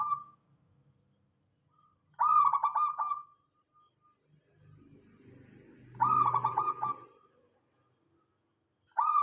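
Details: Lure song of a local zebra dove meant to make other doves answer: stuttered, rolling coo phrases about a second long, repeated roughly every four seconds with quiet gaps and faint low noise between.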